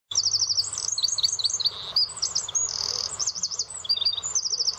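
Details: Eurasian wren in dense thorny scrub and hedges at the Miño estuary: a loud, very high, rapid outpouring of sharp trills and ringing warbled notes, nearly continuous, with brief pauses between bursts.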